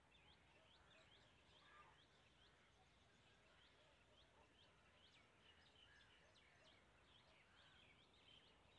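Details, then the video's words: A rain quail calls with quick, sharp, high notes repeated many times a second in a busy run, over a steady background hiss. "Rain quail calling"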